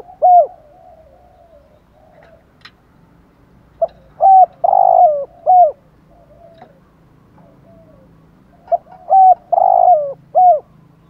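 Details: Spotted dove repeating its phrase twice, about five seconds apart: brisk hooked coos, a long rolling middle coo and a closing coo, with soft murmurs between; styles 'thúc gù' and 'gáy gọi' for exciting decoy birds.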